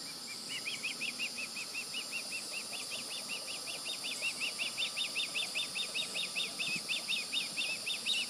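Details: Juvenile Osprey, recently fledged, calling near its nest on July 16, 2020: a long, steady series of sharp high chirps, roughly three per second, growing louder, with constant hiss behind.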